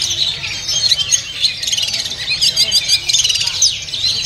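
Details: Oriental magpie-robin kept caged at a market, pouring out a dense stream of high chirps, trills and sweet whistled notes in short bursts. Soft ambient noise lies beneath.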